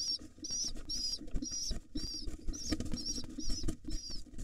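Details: Wild rock pigeon nestlings, overly excited and hungry, begging as their father feeds them: rapid series of high squeaky whistled cheeps, about two per second, over low fluttering, shuffling and patter sounds.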